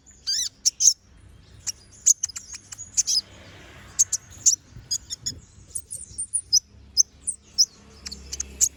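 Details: Brown-throated sunbird singing in full, lively form as a master recording for training other birds: dense string of sharp high chips and thin whistles, a short slurred phrase near the start, over faint background noise.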